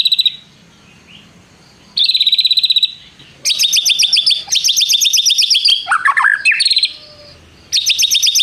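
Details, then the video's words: White-rumped shama in full voice with prenjak-style phrases and long trills. A brief high rattle, then a pause, then a long run of rapid buzzy trilled notes broken by a short lower warbled phrase. "MURAI BATU GACOR ISIAN nembak prenjak tirrr panjang2"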